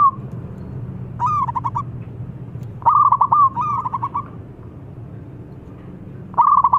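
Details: Lure song of a local zebra dove, played to stimulate silent doves: separate bursts of rapid, bubbling coo notes, each phrase a quick stuttered roll, separated by quiet pauses over a low hum.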